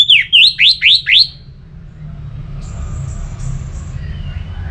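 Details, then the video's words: Orange-headed thrush song for encouraging singing: five quick loud notes sweeping down then sharply up, evenly spaced within a second and a half, followed by faint high thin whistles and low background rumble. "Suara Ini Bisa Membangkitkan Burung ANIS MERAH agar Jadi Gacor"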